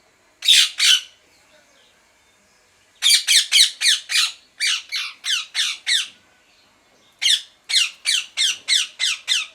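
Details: Parrot screeching in long volleys of harsh, rasping squawks, about eight in quick succession per burst, separated by short silences, loud and insistent throughout.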